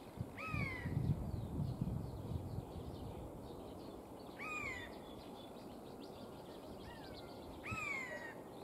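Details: Eurasian jay testing its voice: three drawn-out, falling mew notes spaced a few seconds apart, with a low rumbling noise at the start and faint small-bird twitters behind.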